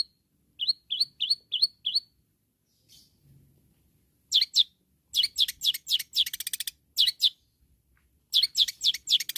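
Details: Long-tailed shrike calling rivals: a run of five sharp, slurred chips roughly every quarter second, a brief pause, then bursts of harsh scratchy notes and a fast rattling trill, ending in more rapid chattering phrases.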